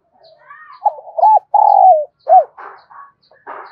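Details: Decoy spotted dove calling to goad wild doves into responding: one phrase of two quick hoots, a long purring coo sliding down, then a clipped final note, followed by soft chirping from other birds.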